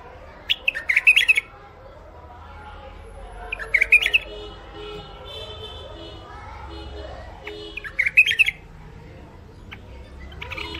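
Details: Caged hybrid finch (mule), sold in Baghdad, Iraq, and noted for a thick throat, repeats short bursts of twittering song roughly every three to four seconds while people talk quietly in the background.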